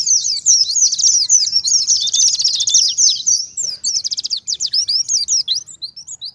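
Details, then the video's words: Oriental white-eye in the forest-type ngalas style, used as a lure to draw answers from other white-eyes: very high, rapid twittering of tumbling chirps and short buzzy trills, busy and continuous, ending in fast clipped notes. "PANCINGAN PLECI NGALAS - putar 2 menit saja.! PLECI apapun nyaut"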